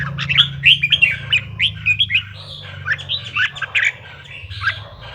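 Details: Red-whiskered bulbul song, played to stir other bulbuls into singing: bright whistled notes rising and falling in quick chirpy phrases, with a steady low hum underneath.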